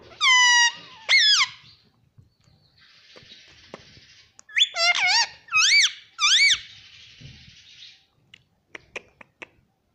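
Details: Talking pet parrot indoors; several loud, arched, nasal squawks in two bursts separated by a hissing pause, followed by soft clicks.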